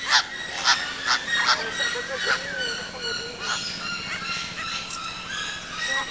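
Chilean flamingos honk in a flock, with harsh, nasal, goose-like calls overlapping roughly once a second over a low background murmur.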